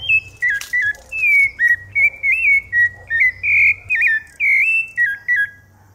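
A rufous-bellied thrush sings a loud, fluty string of short whistled phrases, about two per second, rising and falling around a mid-high pitch.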